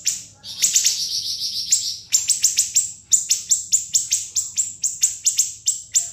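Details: A sandpiper (siri-siri), recorded as a tutor song for songbirds and described as having sharp, very long phrases, gives a very high, thin trill, then sharp, piercing whistled notes repeated about three times a second, with no other sounds.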